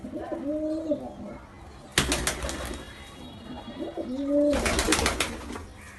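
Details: Baby pigeon, angry during an attack, giving two drawn-out low nasal notes, each followed by loud flurries of flapping or scuffling.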